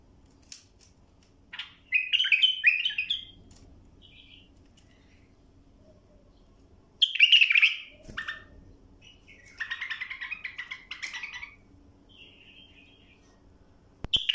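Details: Tutoring song of a bulbul for young birds: loud bursts of rich, warbling phrases separated by long quiet gaps, with short soft whistles between bursts and a sharp click at the end.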